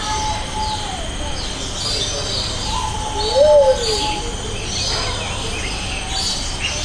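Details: Luzon bleeding-heart at Jurong Bird Park, recorded on a Sony FDR-AX700 with a Rode VideoMic NTG: a single short, low, hump-shaped coo midway, amid murmuring voices and faint high bird chirps.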